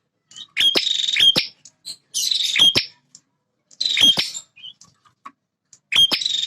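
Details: Male bar-winged prinia defending its territory with energetic song: four separated bursts of sharp ticks running into raspy, insect-like buzzes, spaced about every one to two seconds against a quiet background.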